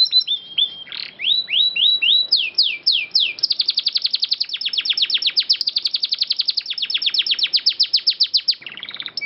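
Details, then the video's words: A canary sings a fast, high, unbroken song: several descending whistled slurs, then a long dry trill of rapid repeated notes, nearly four per second. "MASTERAN MEWAH KENARI"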